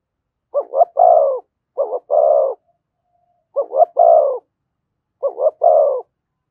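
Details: A spotted dove coos in thổ voice with thúc and kèm delivery, each phrase two short throbbing notes followed by a longer descending coo, four phrases with pauses.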